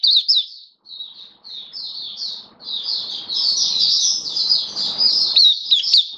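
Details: Oriental white-eye (Mata Puteh, Kitaro type), a hobby bird in song on 27 October 2022: spaced high chirps that build into a fast, continuous, scratchy twittering warble over faint background hum.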